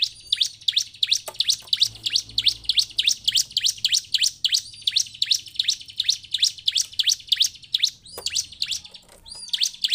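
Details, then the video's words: Bar-winged prinia lure song for captive birds: a long, even string of bright, high chirps at about three per second, sustained and driving, with a couple of lighter notes near the end. "Coba gunakan pancingan ciblek penuh emosi ini supaya ciblek diam ikut bunyi dan cepat gacor"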